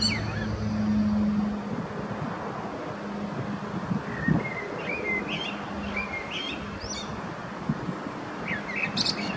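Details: Male common blackbird, Switzerland, Zurich canton, 21 February 2017, singing in dim light: soft fluted phrases in the middle and thin high squeaks at the end, partly masked by a humming tone and low noise.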